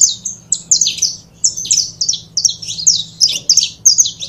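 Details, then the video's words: Pair of saffron finches in full song, a recording for prompting other birds to sing: dense, loud runs of high chirps and slurred notes in quick rhythmic bursts, with a faint hum below. "Casal de Canário da Terra Bom Para Foguear!!!"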